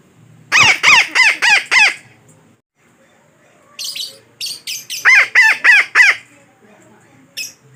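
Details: Parakeet lure call used to attract birds for trapping: two bursts of harsh, rasping squawks, about five rapid calls each, the second burst after a short pause, with bright overtones and little background.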